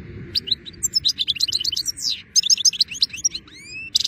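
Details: European goldfinch singing in good weather: a continuous, fast stream of high, tinkling, twittering notes and slurs, ending in drawn-out rising whistles and a short buzzy burst.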